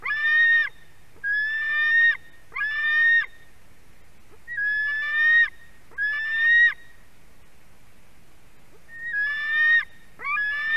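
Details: Screaming white-tailed eagle chick at its Durbe nest, 31 August 2020, reacting to a parent bringing fish: eight raspy harmonic screams in clusters of two or three, separated by short silent gaps.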